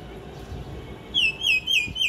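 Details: Mynas at drinking water, recorded at close range: four clear whistled notes, each sliding downward, repeated about every quarter second over a low background rumble.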